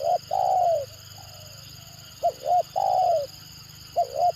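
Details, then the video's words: Caught spotted dove calling in a stuttering (gagap) style: a long falling coo, then stammered double coos leading into another drawn-out coo, over low rumbling noise and a thin high whine. "Mendengar Suara Tekukur Gagap Ini Burung Lain Pasti Responnya Gacor"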